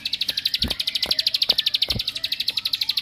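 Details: Bar-winged prinia song used to rile other prinias: a continuous rapid series of bright, high chip notes at an even pace, with several dull thumps or knocks mixed in.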